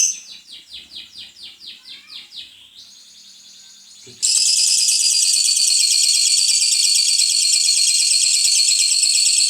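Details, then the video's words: Lovebird giving a long trill, ngekek panjang: a run of quick descending chirps, a short pause, then a dense, high-pitched chattering trill held steadily for over five seconds. "Love bird ngekek panjang"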